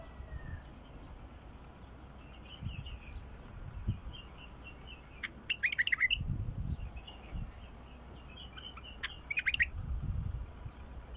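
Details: Singing of a 'mukhlif' bulbul, used to draw song from a silent bulbul: two short bursts of fast warbled notes, several seconds apart, over soft chirps and intermittent low thumps.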